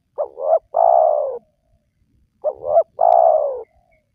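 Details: Lure recording of a spotted dove for drawing out wild doves. Two phrases, each a brief bubbling double note followed by a long, slightly falling coo, with clean silence between.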